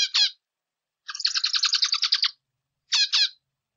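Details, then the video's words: Singing zebra finch: a pair of short sharp notes, a pause, a long buzzy phrase of fast evenly repeated nasal pulses, then another pair of short notes. "Zebra Finch Singing - Diamante Mandarín Cantando"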